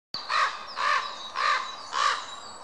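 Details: Common raven (Corvus corax) meeting others in a larch near Krasnoyarsk, Siberia, in May 2013, gives four harsh, hoarse calls about half a second apart, with faint high chirps in the background.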